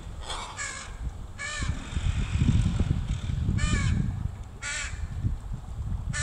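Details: Crows caw as a mother shows her baby how to forage, recorded 26 July 2019. A rapid, irregular string of harsh caws, some doubled, sounds over a rumbling low background.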